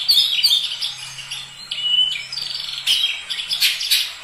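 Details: Oriental magpie-robin song: bright, varied high whistled phrases and chirps, some rising and some falling, delivered in quick bursts with short gaps, over a faint low steady hum.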